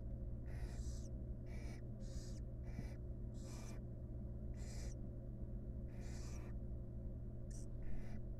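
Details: Barn owl chicks and mother in a wild, monitored nest box during grooming; dense sequence of about ten harsh hissing screeches, some doubled, coarse and breathy, with a steady background hum.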